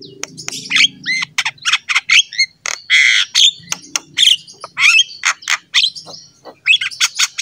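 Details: Black-winged myna in lively, vigorous song, played to train other mynas: loud harsh squawks and rasping bursts mixed with short whistled notes and rising slurs, delivered in rapid irregular phrases with brief pauses.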